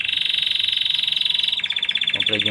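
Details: Intense yellow Belgian canary singing steadily: a rapid pulsing trill held for over a second, then a shift to a choppier, slightly lower tour, with a brief burst of a man's voice at the end.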